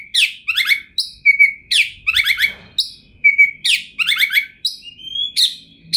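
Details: Oriental magpie-robin, a 2021 champion kacer, in chatty song rich in material. Descending buzzy trills repeat about every second, with short level whistles between them and a quiet background.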